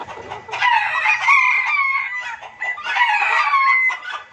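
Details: Junglefowl lure and master recording of noisy, busy calling: two bursts of dense, overlapping harsh clucks and squawky cackles with thin whistled overtones, the first for about two seconds, the second after a short lull.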